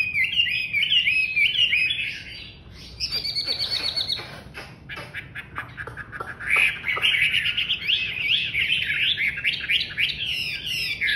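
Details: Chinese hwamei singing loudly. Tumbling whistled phrases open the passage, then a stretch of sharp dry clicking notes, before the rich varied whistling resumes and carries on to the end.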